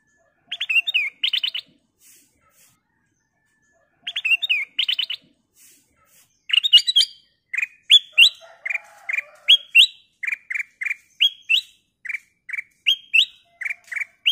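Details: Golden-coloured bulbul (kutilang emas) singing, used as a lure recording to prompt other birds to sing: opening bursts of quick, rattling chirps, then a lively run of short, bright, sweeping whistled notes about twice per second.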